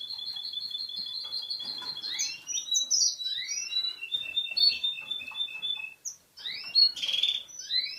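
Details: Male Russian canary, yellow and ready for breeding, from Boston, opens with a quick even trill, then moves into varied rising and falling whistled phrases and a second run of repeated notes, ending in bright chirps.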